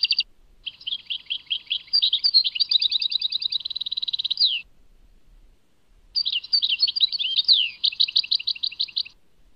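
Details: Goldfinch from Tadmait delivering two long song phrases: tinkling twitters building into a rapid buzzing trill ending in a downward sweep, a pause of over a second, then further chattering notes.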